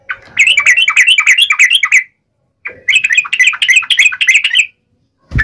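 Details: Fighting song of a yellow-vented bulbul, wild uplik ropel style, used to provoke other bulbuls into replying; two dense two-second phrases of quick, bubbling, chattering notes separated by a short silence.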